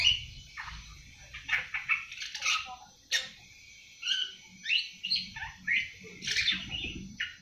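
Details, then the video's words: Seven-month-old awar-awar just starting to sing, with short squeaky chirps and brief chatters in loose bursts about every second, above a soft low hum. "Burung awar awar 7 bulan mulai ngriwik"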